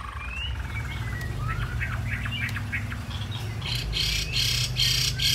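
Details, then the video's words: Chinese hwamei song: quick, varied whistled phrases sliding up and down, then harsher, scratchy bursts, over a steady low rumble. "Tiếng hót chim hoạ mi"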